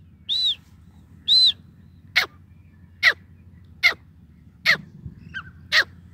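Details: Grey francolin, called Sindhi teetar or Irani teetar locally, calling: two arched, whistled high notes followed by five sharp, downward-sweeping harsh notes, spaced about a second apart, over a low steady hum.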